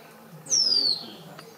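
A White-lined Tanager gives one thin, very high whistled call that slides downward, lasting under half a second, over a faint low background hum.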